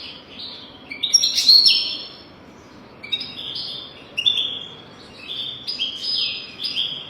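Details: European goldfinch singing, used to tutor goldfinches to sing: a sharp, bright twittered flourish followed by several quieter, tinkling phrases of sliding high notes.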